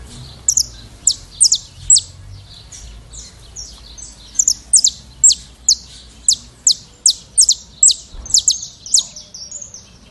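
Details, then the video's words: Canário-da-terra, the saffron finch of Brazil, pouring out repeated high, sharp, falling notes, about two per second, building into a fast, busy phrase near the end; faint low background noise. "Canto do Canário da Terra"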